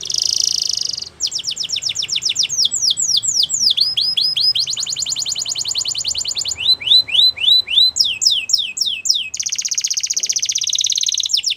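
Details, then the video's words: Belgian canary singing a varied song of fast high tours: a buzzy opening roll, then series of rapidly repeated down-slurred notes, glides and bright trills, each tour switching to a new note type, with no other sounds. "Belgian Canary | Bird Sounds | Canary Singing"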